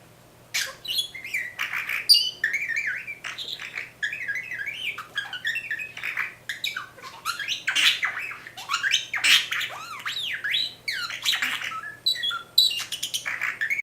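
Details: Indoor pet bird copying R2D2's robot noises in a long, dense run of squawks, bleeps, swooping whistles and rapid scratchy chatter with few pauses.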